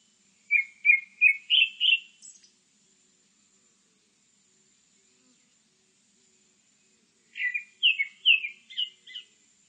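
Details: Grey-backed thrush singing two short phrases a few seconds apart, each a quick run of four or five clear, fluty whistled notes that climb slightly in pitch, with a faint steady high hiss behind and otherwise quiet surroundings.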